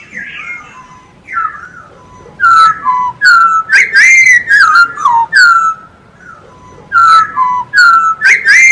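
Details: Loud whistled song of a masked laughingthrush, kept as training material for other songbirds: clear, flat and falling whistles in irregular bursts, some sliding downward, separated by short quiet gaps.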